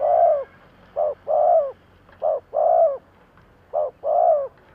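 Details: Spotted dove used as a lure for wild doves, giving deep, soft coos: a short note followed by a longer, slightly falling one, the pair repeated three times over a faint, quiet background.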